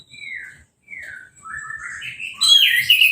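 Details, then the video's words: Caged orange-headed thrush after moulting, sprayed with a hose for its bath and uncovered, singing at once: separate clear whistled phrases sliding downward, then a louder burst of rich, warbled, rising notes with high squeaky overtones. "Anis Merah Sehabis Mabung Mandinya Disemprot Selang , Gak Pakai Kerodong , Bisa Langsung Berbunyi"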